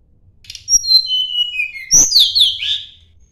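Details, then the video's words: Sunda blue robin singing to challenge a rival: a run of falling whistled strokes, a short click, then a burst of high slurred notes. "kicau tledekan gunung mencari lawan"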